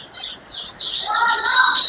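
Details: A young male Scotch Fancy canary that has started twittering but does not yet sing fully: quick, high, scratchy bursts and rising sweeps, an unfinished warble; a little background speech.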